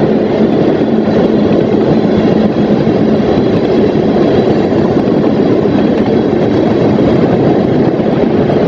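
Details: Steady heavy rumble of a passing train with engine drone and rolling wagons throughout, no animal calls audible.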